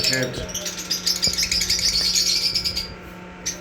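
A black-masked lovebird chatters in a rapid, high, scratchy twitter, notes running together for about three seconds, over a low steady hum and a brief voice at the start.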